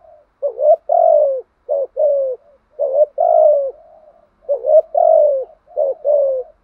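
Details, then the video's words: Spotted dove, a trained bird, coos continuously in paired phrases, a quick rising note followed by a fuller falling coo, repeated about every second with no other sounds. "chim cu gáy bài bản thúc gù bổi nhát mấy nghe cung phải gáy theo"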